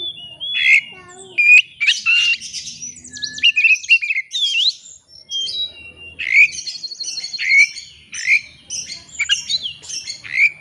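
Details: Oriental magpie-robin singing to seek a rival, used to goad birds into their full repertoire: long rich medley of whistles, chirps, buzzy trills and mimic-like notes, with repeated rising whistles in the second half.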